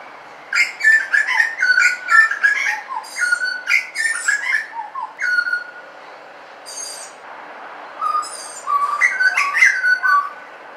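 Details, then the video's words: A butcherbird in suburbia sings rich, varied phrases of fluty whistles mixed with rapid chattering notes, pausing briefly between bursts, against a quiet background. "BUTCHERBIRD SOUND"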